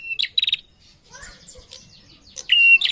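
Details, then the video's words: A female prinia calls actively in sharp, high chirps in quick bursts, with a male answering; a thin, strained whistle comes near the end over faint murmuring. "SUARA PRENJAK BETINA GACOR SAUT JANTAN"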